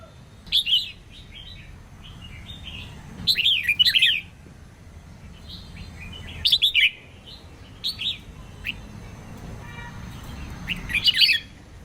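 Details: Female red-whiskered bulbul whose song is meant to stimulate males to sing; short bubbly phrases of sharp, slurred whistles scattered across twelve seconds with quiet gaps between them.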